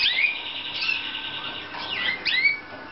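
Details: Slavujar-type canary from Romania giving a continuous high warbled phrase that ends in rapid downward and upward slurred whistles.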